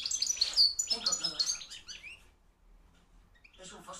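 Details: Caged European goldfinch of field type, hand-reared young bird from 2013, singing strongly; rapid liquid twittering phrases over the first two seconds, then a pause and a brief further burst.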